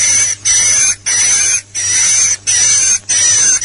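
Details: Lure call for swiftlets, LIUR 77: rasping high buzzes about half a second long with a whistled streak, evenly repeated roughly every 0.7 seconds over a low hum.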